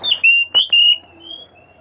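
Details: Oriental magpie-robin singing on and on, calling to its companion: bright, sustained whistled notes broken by two sharp clicks, then softer, fainter whistles trailing off against a quiet low hum.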